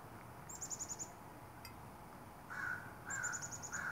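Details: Northwestern crows calling in the morning of 29 May 2021: three harsh, drawn-out caws in the second half, with another bird's rapid, thin, high twittering trills before and between them.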